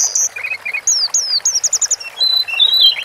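Sunda forktail giving very high, thin whistles: a quick run of five or six sharp downslurred notes, then shrill sweeping whistles, over a quiet background.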